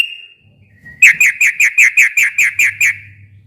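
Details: Sooty-headed bulbul in long, lively song, played to coax a quiet bird into calling back. A thin whistle, then ten rapid, bright, evenly spaced notes over two seconds, with a low hum behind.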